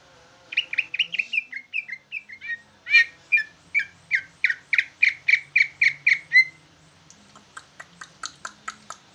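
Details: Greater green leafbird of the jumbo type singing in a bulbul-like style: a rapid run of sharp whistled notes, slurring downward, then a steady even series of loud strident chips, ending in thinner high twittering notes.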